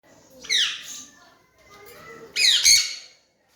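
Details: Young Alexandrine parakeet, a raw parrot kept as a pet and learning to talk, gives two harsh, descending squawks with layered harmonics, half a second apart from a quieter middle stretch, indoors with little background noise.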